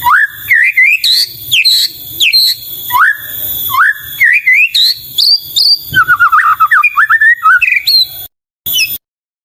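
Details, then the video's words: Loud white-rumped shama singing: swooping whistled phrases rising and falling, then a rapid chattering run of notes, ending in silence. "Murai Batu Gacor dengan Suara Merdu"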